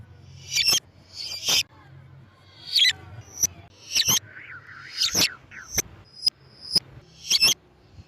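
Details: Lovebird sound used to lure lovebirds: piercing high chirps and short harsh bursts, plus a brief lower wavering whistle midway, calls spaced irregularly about every half second to a second.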